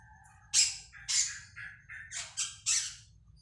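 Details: Cak keling, said to sing busily morning, noon, evening and night since being fed catfish pellets, giving a run of six harsh, raspy squawking notes at irregular intervals against a low background hum.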